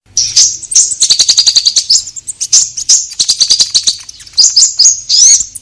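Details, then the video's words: Orange-headed thrush singing vigorously, a lure recording used to prompt caged birds to sing: high, rapid clicking and ticking notes run into bright whistled phrases, dense and unbroken throughout. "Pancingan Konin Gacor Langsung Nyaut"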